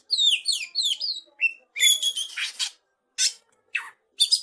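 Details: Young wild oriental magpie-robin from forest, song of high slurred whistles dropping in pitch, then harsh buzzy rasping notes separated by short silences.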